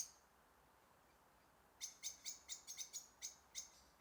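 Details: A goldcrest, one of two, in a snowy forest on a clear, windless late-November winter morning gives a quick burst of very high, thin 'see' notes, about ten in two seconds, after a quiet start with faint background hiss.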